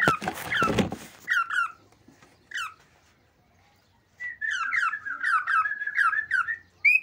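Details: Male cockatiel singing an excited song meant to stimulate mating. It opens with a harsh noisy burst, then a short pause, then quick whistled notes with rising and falling slides that run into a rapid chattering phrase.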